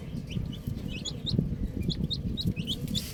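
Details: Little chicks with a ball, high short peeps repeated in loose succession, partly masked by loud low thumping and rustling noise.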